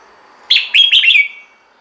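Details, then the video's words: One brief phrase from a red-whiskered bulbul, played to stir caged birds: four quick slurred, bubbling whistles ending in a thin trailing note. "เสียงนกกรงหัวจุก สำหรับต่อ หรือ เปิดให้นกคึก เสียงเพราะๆ"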